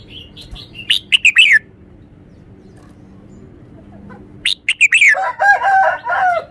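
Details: Red-whiskered bulbul singing clear, emphatic phrases: a rapid cluster of bright chirps sliding downward, a quiet gap, then another chirpy run leading into a stuttering series of rich, repeated warbled notes.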